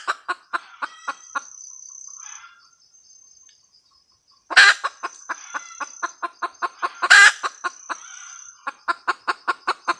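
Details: Red junglefowl hen cackles in rhythmic clucks, falls silent for about two seconds, then resumes with two loud grating squawks followed by more quick, evenly paced clucks.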